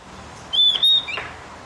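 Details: Javan grey-throated white-eye, morning recording used to train captive birds to sing; two long, clear, high whistles in quick succession, then a shorter falling note, over a quiet background.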